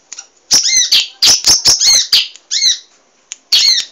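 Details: Munia, locally emprit, singing busily as training material for cage birds: a rapid run of scratchy, high chirps and squeaks packed closely together, then a short pause before another harsh note.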